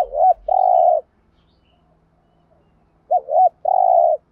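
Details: Spotted dove decoy coo, 'gù thúc', for stimulating newly caught birds to call: a bubbling double note and a long buzzy coo, then silence with a faint low hum, then the same phrase again.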